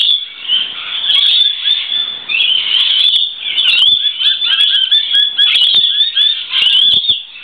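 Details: Lorikeets crowd a verandah to shelter from rain, giving loud shrill screeches and squeaky chatter that overlap constantly; a male displays to a female by flapping his wings and standing tall.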